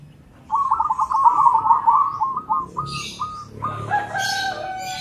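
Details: Zebra doves, local and crossbred, calling back and forth: a loud rolling cooing trill breaking into spaced staccato notes, while a rooster's crow and other bird noise join at the end.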